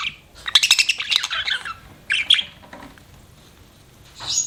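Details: Pet budgie giving bright, scratchy chirps in a clustered burst near the start, a shorter chirp around two seconds, then a quiet gap and a final buzzy note.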